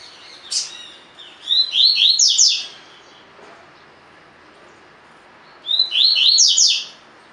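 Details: Tui-tui song of a spirited double-collared seedeater kept in a cage for training: a sharp opening note, then two rich phrases of fast, buzzy, falling slurs separated by several seconds of quiet hiss.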